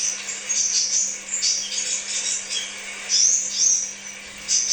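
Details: Crimson sunbird song used as a pancingan lure to stimulate birds: thin, very high twittering chirps and short sharp notes in quick bursts, with a faint steady low hum throughout.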